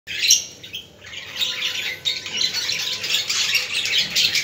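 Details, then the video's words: Budgerigars, played to stimulate other budgies: a dense high warbling chatter with scattered sharp chirps, after a brief loud squawk at the start and a short dip in volume. "اصوات طيور الحب البادجي للتحفيز"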